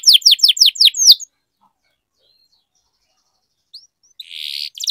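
Canary song: a quick run of about six bright, downslurred whistled notes, a pause, then a dry buzzy roll at the end.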